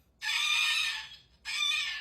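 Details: Pet cockatoo, described as angry, screaming twice: a long, grating screech lasting nearly a second, then a shorter rasping one after a brief gap, with a man talking about wild bird food nearby.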